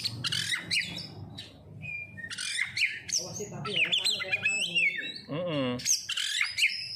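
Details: Oriental magpie-robin (kacer) lure song, pancingan: rich jumble of whistles, trills and scratchy notes, with one harsh, nasal, buzzy note near the end and a faint low hum behind.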